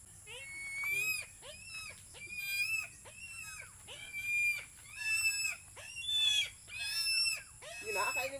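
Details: Early-morning Philippine eagle, about to be fed, giving a series of harsh, ringing whistled calls with overtones, roughly one per second, each rising briefly then falling, over a steady background hiss.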